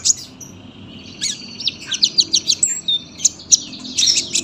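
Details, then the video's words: Sunbird song for tutoring young birds: a fast series of high, sharp, evenly spaced chip notes mixed with thin whistles and twitters, the background nearly clean. "KOLIBRI GACOR PANJANG SUARA RAPET"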